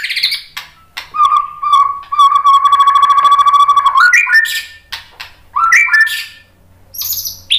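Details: White-rumped shama performing a full lure song to get birds to answer, including its mimicked repertoire; a fast, even trill held for about three seconds, then quick rising notes and sharp chips.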